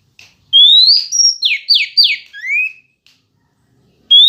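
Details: Loud song of a female Oriental magpie-robin used to provoke males. One full phrase: a long rising whistle, a high flat tone, three buzzy descending notes and a lower upslurred whistle ending it. The next phrase begins at the close.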